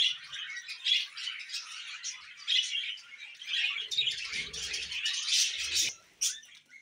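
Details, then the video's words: Budgerigars chatter in a steady, raspy high warble with squeaky peaks, a few louder chirps toward the end, and light low rustling sounds midway. "Budgies Moments Collection"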